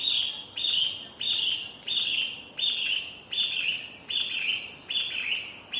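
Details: Japanese bush warbler singing over and over on 6 May 2017, captured on a Panasonic DC-FZ85: a steady run of nine sharp, high, down-slurred notes, roughly eighty per minute, against quiet background.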